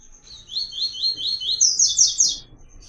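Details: Double-collared seedeater (papa-capim or coleiro) from the caatinga delivering the "Tui Tui" song pattern used to teach captive birds: five clean, evenly paced slurred whistles followed by a burst of higher, buzzier notes.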